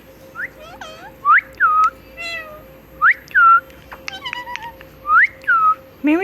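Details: Pet talking parrot that repeats words like a human. It gives clear, tonal, meow-like syllables that rise and then fall, in short bursts with pauses between them, in a quiet indoor room with a steady faint hum.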